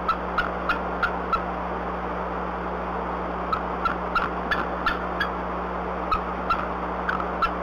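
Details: Female Bald Eagle at the Decorah nest before dawn, 17 April 2020, with nestlings, calling as she and her mate drive off a harassing owl: bursts of sharp, high chattering chirps in runs of four or five, over steady electrical hum.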